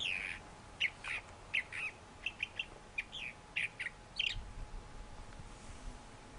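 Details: Thrasher singing: a varied series of short, separate phrases, chirpy and slurred notes at mid to high pitch, one phrase roughly every half second with brief pauses, over a faint steady background hum.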